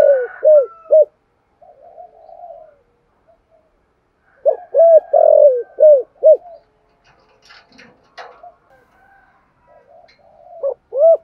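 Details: Spotted dove calling and cooing to excite other doves: a quick run of arched coos, a pause with soft murmuring, another coo series, then faint rustling and a final pair of coos.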